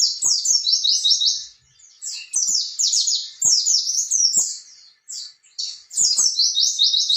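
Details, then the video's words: Oriental white-eye 'ngalas ngerol' song to provoke young birds into singing: long rolling strings of high, rapid, descending chirping notes, broken by brief quieter gaps, with faint low clicks. "pleci gacor ngalas ngerol ampuh buat terapi burung pleci bakalan"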